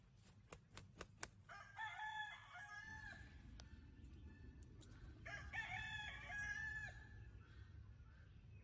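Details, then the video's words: Cock-fighting roosters on a rural farm crowing: two long, harmonic crows, each lasting over a second and falling at the end, about three seconds apart. A few sharp clicks come before them, over steady low background rumble. "Cock Fighting Roosters Crowing Compilation!"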